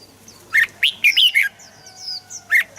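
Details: Red-whiskered bulbul song, used to stir other birds into singing: a few loud, liquid, rising whistled notes in quick bursts, with a pause between them. Faint thin high chirps sound in the background.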